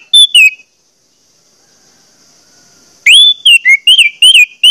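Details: Orange-headed thrush singing as a prompt for other orange-headed thrushes. A short slurred whistle pair, a pause with faint hiss, then a lively run of upswept and looping whistles repeated several times.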